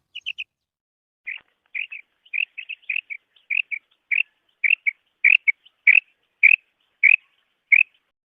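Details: Female quail, called batair or bedana, giving a long run of short chirping notes in pairs and triplets, fairly steady and repeated about every half second, loud and clear over a quiet background.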